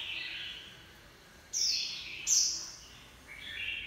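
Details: Brief 'líu pha choè' song from a Japanese white-eye: two sharp, high whistled notes and softer lower warbles, partly masked by steady background hiss.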